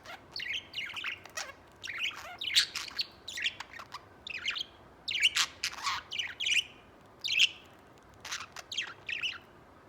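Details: A white budgerigar kept as a pet chatters in a long stream of high, sharp chirps and scratchy squeaks, delivered in quick clusters separated by short pauses.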